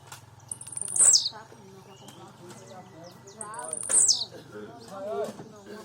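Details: Blue-black grassquit singing a lot: two short, very high buzzy notes that sweep sharply downward, about three seconds apart, with men talking in Portuguese throughout and outdoor background hum.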